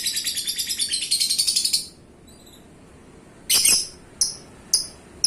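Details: Pet lovebird, a paskun champion described as gacor, ends a fast pulsed high trill, falls silent, then gives several short, sharp high chirps.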